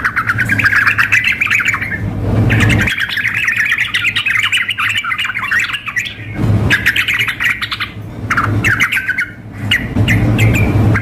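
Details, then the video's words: Yellow-vented bulbul, a female calling a male together with an excited singer in a simulated contest. Fast squawking chatter, about four notes a second, comes in long bursts with short gaps over steady hum. "trucuk memanggil dengan trucuk gacor mengamuk"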